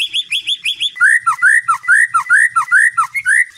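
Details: White-rumped shama singing at night to train a competition bird: quick repeated high notes, then a steady rhythm of rich slurred whistles alternating with lower dropping notes, about two per second.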